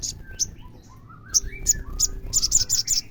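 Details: Olive-backed sunbird song used to stir a caged bird to sing: spaced sharp high chips that speed into a quick run of notes, over soft lower whistled phrases from other birds.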